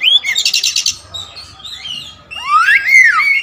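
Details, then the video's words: All-black kacer wulung Oriental magpie-robin singing a rich repertoire; a harsh buzzy rattle follows a short whistle, then after a pause a sweeping, rising and falling whistled phrase with overlapping notes. "Adu spek raja kacer materi segudang kacer wulung"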